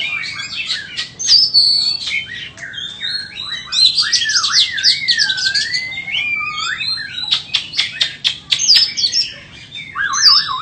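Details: White-rumped shama singing loud, wavering fluty whistles that dip and rise smoothly, interspersed with rapid clicks and high sharp notes.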